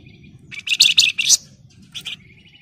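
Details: Flamboyan bird singing in the 'ngebren rapat nyerecet' manner: loud grating high chirps clustered in a half-second burst, then a shorter scratchy phrase, over steady low background noise.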